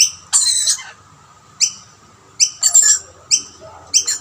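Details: Rainbow lorikeets competing at two plates of food, a dominant male keeping other birds off except his own family: a harsh screech, then a run of quick, piercing, high chirps and raspy bursts.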